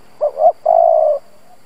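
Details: Lure spotted dove calling to provoke other doves, one brief phrase: a short hoot, a rising second note, then a long even mellow coo.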